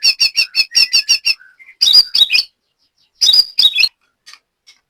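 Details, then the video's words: White-rumped shama kept as a songbird in Banyumas, Central Java, Indonesia: a quick series of paired bright notes, a soft low whistle, then short tumbling phrases of sharp chirps separated by silences, ending in faint single notes. "BURUNG LATBER MURAI BATU JAMBRET"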